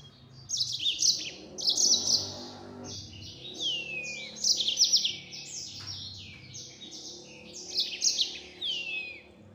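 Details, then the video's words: Yellow-fronted canary, known locally as mozambik, singing a fast 'nembak' song at full speed: rapid bursts of high buzzy trills and descending whistled slurs, coming in phrases about every two seconds. "Burung Mozambik Gacor Suara Nembak Full Speed.."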